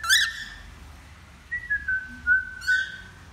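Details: Male cockatiel learning to sing: a sharp rising chirp with bright overtones opens, then a string of short level whistles stepping slightly downward, ending in another bright chirp that settles into a steady whistle; faint low room hum.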